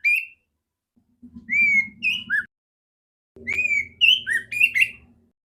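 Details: A female oriental magpie-robin's strong, clear song, played as training for other magpie-robins. Loud rising and falling whistled phrases come in three bursts. Under two of them runs a low rattling hum.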